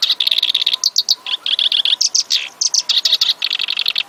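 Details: Black-browed reed warbler in full song: a dense, continuous chatter of rapid scratchy notes, with repeated grating phrases and quick sweeping chirps and almost no pauses.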